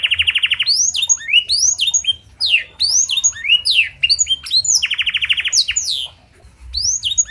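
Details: Canary singing blackthroat-style fill, clear-voiced, played as a master to prompt others: opens with a rapid rattling trill, then sharp rising and falling whistled notes, another fast trill midway, and a brief pause.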